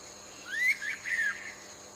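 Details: Yellow-bellied bulbul (identified as white-throated bulbul, Alophoixus flaveolus) calling near its nest with chicks: two short slurred whistled notes, the first rising then falling, the second lower and buzzier, over faint steady hiss.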